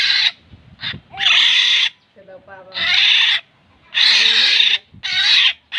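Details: Black-naped oriole (kilyawan) giving loud, rasping, nasal calls, each about half a second to a second long, repeated in quick succession with brief pauses between, plus faint lower chattering notes.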